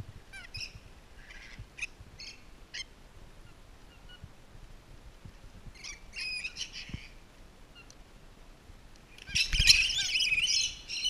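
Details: Rainbow lorikeets calling during enrichment at Twycross Zoo: scattered shrill squawks early on, a brief pause, then a loud, dense burst of harsh screeching near the end.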